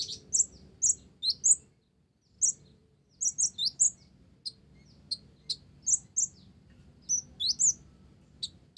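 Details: Olive-backed sunbird song carrying Java sparrow phrases, bursts of shrill, rising and falling chirps broken by a short silent gap near two seconds, then continuing in quick high-pitched groups.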